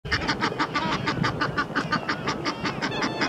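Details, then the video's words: Egyptian geese: two males wrestling in a ten-minute fight on the Round Pond while a mate shouts encouragement; rapid, harsh raucous honks, about six a second, several birds calling over one another. "Egyptian Geese fighting"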